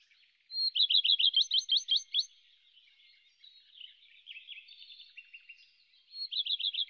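Whinchat: a rapid run of about a dozen high, clipped notes, then a softer scratchy warble, and another quick high burst to close.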